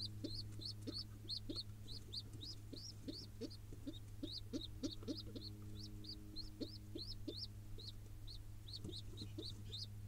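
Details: Hungry wild pigeon nestling in Israel begging while its father feeds it: quick series of high squeaky rising peeps, bursts broken by brief pauses, over a constant low hum and faint knocking sounds.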